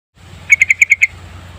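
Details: Yellow-vented bulbul lure song: a quick run of six bright, bubbly notes, evenly spaced, over a low steady hum in the background.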